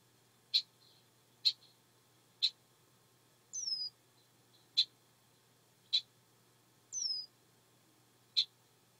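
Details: Red-winged blackbird in a swamp, described as a mating call: sharp, high check notes about once a second, twice broken by a thin, descending whistle, over a faint low hum.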